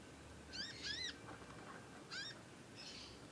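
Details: Young conin learning to sing, used as a master track. A quick pair of high, ringing, arched chirps is followed by a softer single chirp and a faint hissy note.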